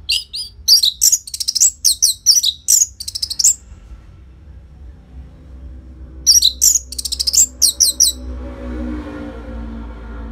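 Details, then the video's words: Orange-headed thrush singing loudly, recorded to prompt caged birds: two bursts of rapid high whistles and chips separated by a few seconds of quiet, with a rising wash of broadband noise at the end. "Pancingan & Masteran ANIS MERAH Gacor Jeda Rapet Suara Keras || Burung Macet Pasti Ikutan Bunyi."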